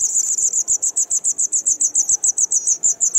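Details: White wagtail nestlings two days before fledging, parents feeding them, Kumiyama, Kyoto Prefecture, 3 June 2019; evenly spaced, high, sharp chip notes repeated about four times a second, steady and loud throughout.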